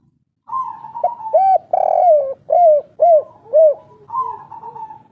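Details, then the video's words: Spotted dove of the local Indonesian 'kuk 3' style, an old wild forest bird calling vigorously: a run of low, rounded, arching coos, about five in quick succession, opened and closed by longer level hooting notes, with faint background noise. "Derkuku kuk3 lokal gacor ngamuk bikin emosi suara asli tua penunggu hutan"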